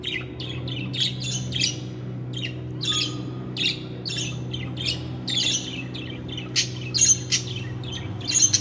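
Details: Budgie chatter of rapid, scratchy squawks and clicks, irregular and dense, with a brief clear whistle near the middle and a loud steady low hum underneath.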